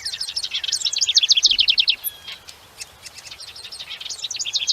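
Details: House wren singing a rapid, bubbling run of high, scratchy notes that speed into a dense trill, pause briefly with a few scattered ticks, then resume the chattering trill.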